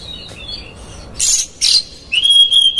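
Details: Oriental magpie-robin in vigorous 'konslet' style song with harsh fill-in phrases, played as a lure to make another magpie-robin agitated and open its tail. Thin high whistles, then two harsh rasping bursts, then a long clear steady whistle.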